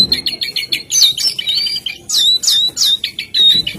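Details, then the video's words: Jongkangan bird song opening with a rapid series of short ticking chirps, then longer rising and falling whistles and several emphatic slurred notes. "SUARA BURUNG JONGKANGAN GACOR GOYANG TELER SAKTI!!"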